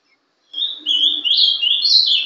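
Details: A young captive-bred Ultramarine grosbeak (Passerina brissonii), hatched 11/12/2012, sings a quick, sweet warbled Paraná-style 'sobe e desce' phrase, its clear high notes stepping up and down without pause.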